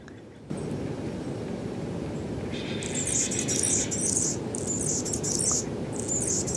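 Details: Anna's hummingbird, a purple-throated male lingering outside a porch in the Pacific Northwest, 2017: after a quiet start, high scratchy squeaking bursts come in short clustered phrases over a steady low rumbling background noise.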